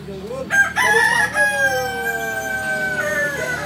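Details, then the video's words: Kukuak Balenggek chicken from Solok, West Sumatra, where the breed is endemic. A short opening note leads into a long drawn crow that slowly falls in pitch and fades, with other fowl murmuring underneath. "latberan ayam kukuak balenggek(akb)"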